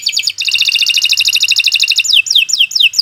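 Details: Canary singing a long song meant for tutoring other birds: fast rattling trill of dense repeated notes, ending in a run of sharp descending whistled slurs.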